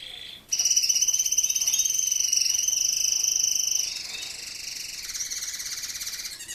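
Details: Singing male canary of the Spanish breed, Raza Española: after a short opening note, a long, steady, high rolled trill runs for over three seconds, then shifts into a softer, lower, more rattling trill.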